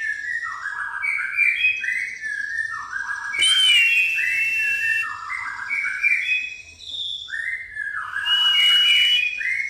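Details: White-rumped shama of the pastol type, its song filled with fighting-sparrow phrases: loud whistled notes sliding down in stepped runs, broken by two bursts of harsh, noisy chatter about five seconds apart.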